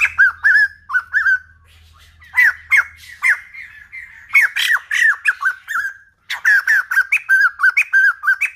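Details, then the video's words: Song of a White-crested laughingthrush, old-forest style, used to train the voice of young birds: whistled arched notes, a brief quiet spell, then excited overlapping ringing notes that settle into a rapid run of whistles. "Khướu Đầu Bạc / Chim Bồ Chao / Ép Giọng Chim Non / 100% Chuẩn Rừng Già"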